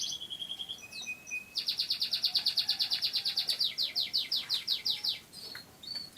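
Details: Canary, a caged songbird kept in Indonesia, descended from wild Canary Islands birds, singing: brief whistled notes, then a long rapid trill of repeated buzzy bursts about three per second, ending in scattered high chirps.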